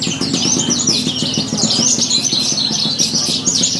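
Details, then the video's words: Horsfield's bush lark singing in a bird contest at an animal market in Purbalingga, a fast run of high chirps and whistled trills over a steady low hum and crowd noise. "Aksi Branjangan Lomba, Branjangan Gacor"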